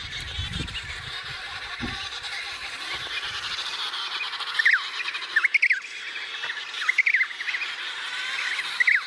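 An emperor penguin chick gives short, high, wavering chirps in quick bursts of two or three over a steady windy hiss, after a low rumble at the start.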